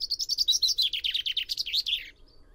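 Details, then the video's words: Common chaffinch (Fringilla coelebs) singing a rapid cascade of bright, descending notes, about fifteen in two seconds, getting lower and fuller before breaking off into silence. "O canto do TENTILHÃO-COMUM (FRINGILLA COELEBS)/CHAFFINCH SONG"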